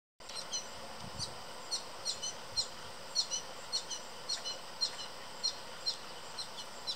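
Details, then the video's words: American goldfinches sitting in a backyard tree, one feeding another after visits to a thistle feeder; the bird chirps for food. Thin, very high chirps repeat about twice a second over steady background hiss. "American Goldfinch Chirping For Food"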